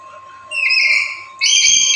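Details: Black-capped lory used to provoke other lories into calling: a rising, buzzy drawn-out note followed at once by a loud harsh screech.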